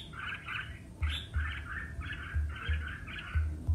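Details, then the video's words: Red-whiskered bulbul in competitive singing: a row of burry, two-part notes repeated about every half second, over recurring low thuds. "Chào Mào Hót Đấu - Kích Chào Mào Hót Đấu Căng Lửa"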